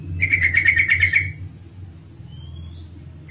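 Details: Yellow-vented bulbul female call for drawing males to sing: a fast string of seven or eight clear, high chips lasting about a second, a faint thin rising whistle afterwards, and a steady low hum underneath.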